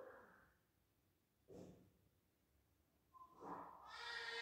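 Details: An Indian ringneck parrot imitates human speech in Hindi in three short, raspy bursts separated by pauses, ending in a longer, squeaky, rising phrase.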